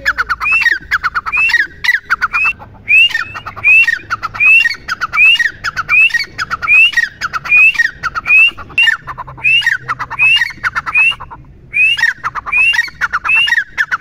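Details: Long steady series from a grey francolin (teetar): about eighteen phrases of rattling clicks topped by a rising whistle, spaced under a second apart, with faint low hum beneath.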